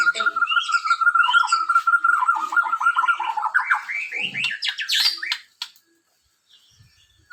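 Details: White-rumped shama from Borneo in its characteristic song: one steady whistled note held for about three seconds, then a run of quickening, rising whistles climbing higher, fading to near silence at the end.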